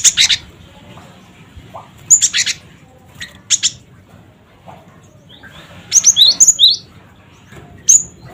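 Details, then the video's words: Cinereous tit (gelatik batu) calls used as a lure to provoke other birds: scattered bursts of high, sharp whistled and buzzy notes, with a busy cluster of rapid upslurred whistles near the end, over quiet low hum. "Suara Burung Gelatik Batu Cret Cret Wucit"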